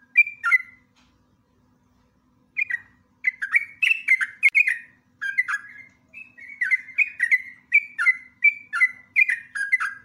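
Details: Lively sooty-headed bulbul song for training other birds, rapid bursting and chattering style: after a brief opening phrase and a pause, a steady stream of short, rich, slurred whistles follows in repeated clusters about every half second.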